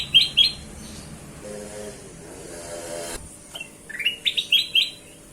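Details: Kutilang emas (bulbul) lure song: a brief trio of sharp whistled notes, a stretch of buzzing mechanical hum, then a fresh run of five quick rising whistles.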